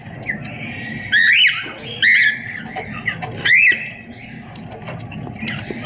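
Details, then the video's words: Cockatiel chirping and singing, kept as a pet: a few loud rising whistled chirps about one second apart over steady low background hum. "Cocktail singing and chiriping// cocktail relaxing sounds"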